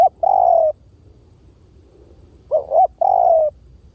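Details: Lure call from a spotted dove: a long, slightly falling croo, a quiet pause of nearly two seconds, then a full phrase with a wavering double coo and another long croo.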